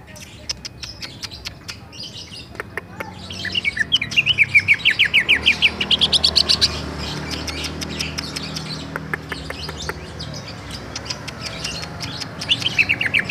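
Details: Greater green leafbird, Bali type, in ngerol song: background clicks and chirps, then a rising run of rapid whistled notes in the middle, and a second short run at the end.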